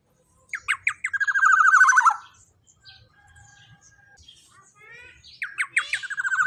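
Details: Black-naped oriole in loud, vigorous voice: a few sharp lead-in notes build into a strong, buzzy, pulsed phrase falling in pitch over about a second. Softer faint calls follow, then a second rasping phrase begins.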